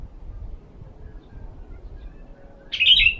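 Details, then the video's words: Sooty-headed bulbul recorded while sunning, its sound used as a lure for other birds; quiet low hum, then one strong, bright chirped note at the very end. "Terapi jemur pikat burung kutilang"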